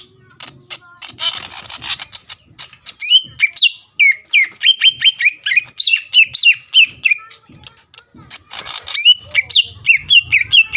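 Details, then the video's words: Greater green leafbird singing to provoke a rival into song; busy chattering and whistled phrases, repeated swept notes, with two bursts of noisy rustling. "CUCAK IJO GACOR MEMANCING EMOSI LAWAN AGAR LANGSUNG BUNYI"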